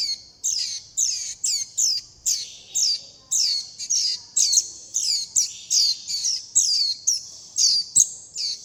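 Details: Fledgling warbling white-eyes begging for food and calling to their mother and flock, giving high, sharp downslurred chirps in quick succession, roughly two per second, evenly spaced and persistent.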